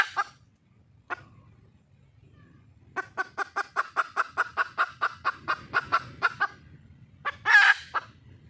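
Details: A wild junglefowl hen calls for a male. After two isolated clucks comes a steady train of roughly fifteen quick clucks, ending with one loud, harsh drawn-out squawk.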